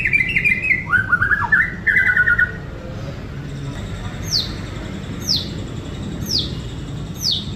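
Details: Sunbathing white-rumped shama in Indonesia gives a few loud, varied warbled phrases, then a quiet gap, then very high, sharp down-slurred notes repeated about once a second. A low background hum is steady throughout.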